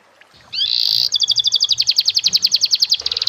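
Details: Canary master song in the fancy cengkok style for training young birds: a short buzzy steady note, then a fast run of sharp repeated high chips at about three or four per second.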